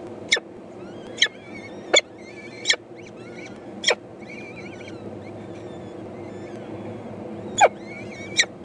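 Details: Four peregrine falcon eyases telling their mother they are hungry, 14 May 2012; sharp rasping chips repeat about every second, then pause before two more, faint wavering whistles between them.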